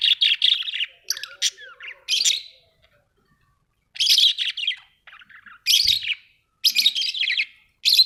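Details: Budgie parrots warbling in dense buzzy chatter with a few thin swooping whistles, bursts separated by short silent stretches.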